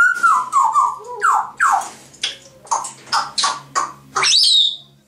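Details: Two pet grey parrots kept indoors, chattering and whistling: a run of sliding, voice-like tones and short harsh syllables in irregular bursts, ending in a long high whistle that rises, dips and levels off.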